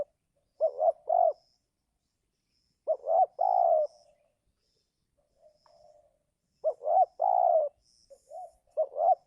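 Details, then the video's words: Spotted dove cooing in the giring season, used to lure wild doves that are reluctant to come down; three soft phrases, each two short notes then a long drawn coo, roughly every three seconds, with faint quiet coos between. "coba Mikat burung tekukur di musim giring"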